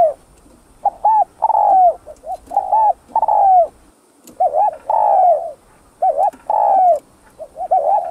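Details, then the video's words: Thúc gù coos of a Vietnamese spotted dove, played to stir other doves and lure them into traps: clusters of soft, low notes with short looping syllables, a brief pause midway, then renewed bursts. "CHIM CU GÁY VIỆT THÚC GÙ HAY"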